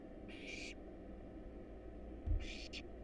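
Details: Wild barn owl nestlings begging in a research nest box during feeding on rat and rabbit: two brief harsh hissing bursts, the second split in two, with a soft thump and low hum.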